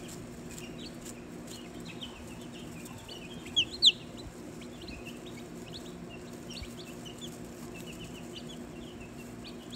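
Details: Day-old Australorp and Olive Egger chicks, hatched November 3 and recorded November 4, give quiet high peeps, short and scattered, with two louder sharp notes near the middle over a low steady hum.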